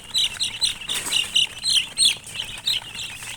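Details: Close, loud peeping from colored chickens: bright, high chirps in quick uneven bursts, several stacked together and rising and falling in volume over a few seconds.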